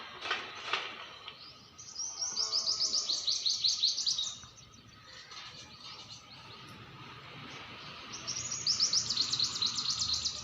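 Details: Small bird giving fast, buzzy high trills in two bursts separated by a quieter gap, over faint background noise.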